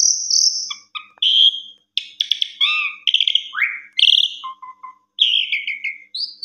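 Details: Asian pied starling singing a long, melodious song: a clear high whistle, then stuttering chatter, buzzy notes, a rising slurred whistle and low, hollow note pairs, with brief pauses between phrases.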